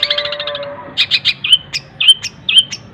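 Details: Long-tailed shrike delivering a fast chattering trill, then several spaced high metallic squeaks with upswept tails, part of a song filled with imitated tengkek buto, greja and kunti calls.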